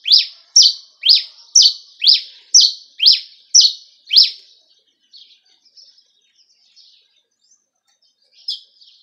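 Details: Campina-style song from a cravina of Rio Grande do Norte, Brazil: nine rapid, evenly spaced, high, swooping notes, then a pause with faint twitters and one final note.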